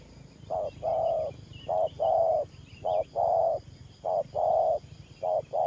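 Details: Decoy spotted dove used in trapping, giving thổ pha style cooing: a steady run of paired soft hoots, a brief note then a longer held one, repeated about once a second over a low rumbling background.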